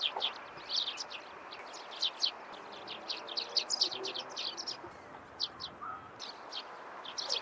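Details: Eurasian tree sparrows in the morning, giving dense bursts of short, high chirps in quick irregular clusters, several birds overlapping, over a steady low background hiss.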